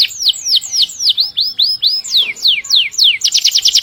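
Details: Canary song meant for teaching other birds: a sequence of clear down-slurred and arched whistles about three per second, finishing with a quick high trill.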